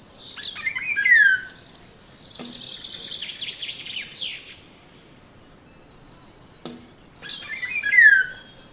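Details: Black-naped oriole, a yellow bird, recorded on a phone or camera, giving two loud, harsh descending calls seven seconds apart, with a fainter buzzy twittering and two sharp knocks between them.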